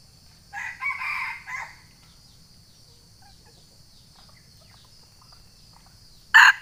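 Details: Sumatran junglefowl challenge crow, used for luring rivals. A moderately loud, hoarse crow of three joined bursts comes early, then a long quiet stretch with a faint hiss, ending in a sudden loud, sharp burst.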